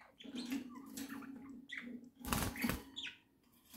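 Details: Pet budgerigars in a home flock, October 2024, chatter indoors with short chirps and squeaky warbled notes, broken by loud rustling and clattering sounds partway through, over a steady low hum.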